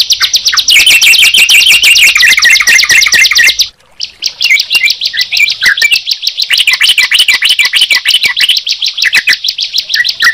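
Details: Bar-winged prinia and yellow-vented bulbul together: a fast, high rattling trill over chattering notes, a sudden silence near four seconds, then lively buzzy phrases return.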